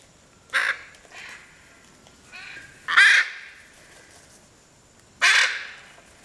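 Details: Hyacinth macaw, Piaui Cerrado Lodge, Brazil: three loud, rasping screeches about two seconds apart, each abrupt and broad, interspersed with softer gravelly notes against a calm background.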